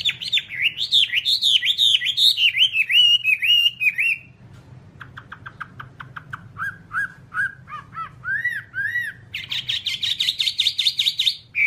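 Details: Whambie tutor song for training caged birds: a run of loud wavering whistled notes falling in pitch, a short pause, clipped ticking notes, rising slurs, then a dense buzzy chatter to the end.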